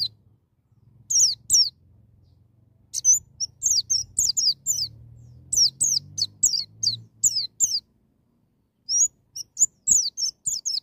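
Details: White-eye in wild-style ngalas song with sharp nembak phrases, used to coax young birds into singing: bursts of high, thin, falling and slurred whistles in uneven groups with brief gaps, over a faint low rumble.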